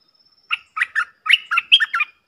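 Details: Stripe-throated bulbul (merbah lekir) giving a quick phrase of seven chirping, warbled notes over about one and a half seconds. The later notes are joined by a thin, sustained whistle.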